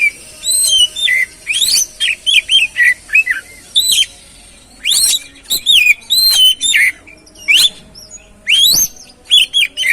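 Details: Kacer song played to stir another bird into singing: rich sequence of whistled notes, many sweeping down in pitch, mixed with short chirps, given in rapid bursts over ten seconds with brief silences.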